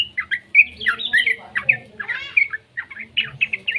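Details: Young yellow-vented bulbul, its voice used as a lure to get other bulbuls singing: dense, rapid chattering of bright warbled and slurred notes, tumbling up and down without pause for nearly four seconds.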